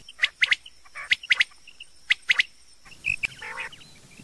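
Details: Rain quail calling, recorded for use in the morning: sharp, clicking paired notes delivered in quick doublets, each pair roughly a second apart, with a harsher, buzzy call from another bird near the end.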